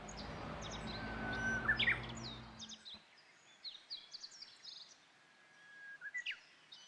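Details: Japanese bush warbler singing with puffed chest from overhead twigs on Mount Rokko, Japan, spring equinox, 21 March 2015; a steady whistle breaks into sharp rising notes, among many thin high chirps from other small birds, with a low hum at first.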